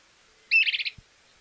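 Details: Stripe-necked tody-tyrant from Argentina uttering one brief, dry, rapid chattering trill of about six notes, with a soft low thump just after.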